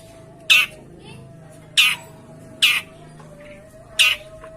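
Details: Long-tailed shrike calls, used as a lure to prompt a silent bird to sing: four harsh, rasping bursts about a second apart, over a steady low electrical hum.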